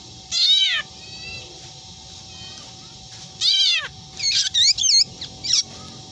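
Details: Black drongo mimicking a cat's meow among its other typical calls: a falling meow, a second meow near the middle, then a quick run of short, bright, upturned whistled notes.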